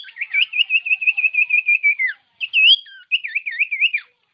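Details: Common iora whistles meant to get birds singing: a long even trill of rapid repeated notes dropping at the end, followed by wavering looped whistles.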